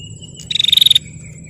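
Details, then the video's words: A single rapid, harsh rattle from a female bar-winged prinia calling to draw out males, about half a second of fast buzzy pulses, with a steady high insect tone before and after. "Suara Prenjak Betina Gacor Tarung Pancing Prenjak Jantan Biar Gacor"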